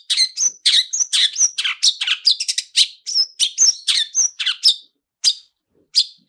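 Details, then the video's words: Long-tailed shrike in energetic song with a rich mix of mimicked phrases, a lure to trigger singing: quick sharp chips and thin whistled notes tumble together, then slow to single calls at the end. "SUARA TOET TOET SAMBUNG ISIAN MEWAH DIJAMIN LANGSUNG ON, PANCINGAN CENDET GACOR ISIAN MEWAH"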